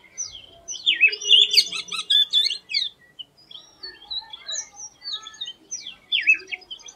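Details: Unusual song of an Oriental magpie-robin (doyel): rapid zigzag chirps and squeaky warbles in dense bursts, with short high whistles between, and one more chirpy burst near the end.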